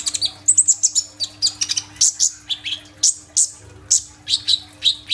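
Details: Energetic kolibri ninja sunbird singing, captured on a phone as a lure for other birds: a jumble of very high, thin whistles, quick sweeping notes and sharp chips at varied pitches, delivered in irregular bursts.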